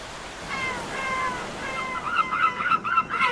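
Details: Seagulls at a beach, one giving drawn-out, descending mewing wails, followed by a burst of quicker harsh calls, over a background of surf.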